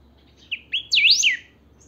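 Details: Pica-type song of a caged saffron finch: a pair of quick whistles, a pause, then a bright rising-and-falling swirl of notes, compact and loud.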